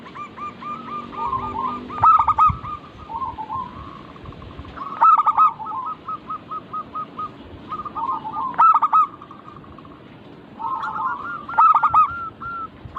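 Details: Lure recording of local zebra doves meant to get birds singing: a chorus of rapid, staccato cooing phrases. Loud clipped bursts of three or four coos come roughly every three seconds over softer trilled runs.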